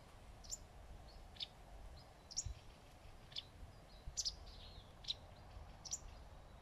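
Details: Sharp, high chip notes from a wagtail perched on a shaded branch, irregularly repeated, some clustered in twos, with soft faint tones and low ambient noise beneath.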